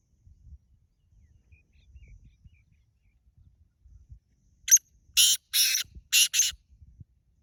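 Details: Black francolin calling: after several quiet seconds of faint low rustling, a quick run of four harsh, grating, broadband bursts, the first short and sharp, the rest longer and raspy, packed into under two seconds.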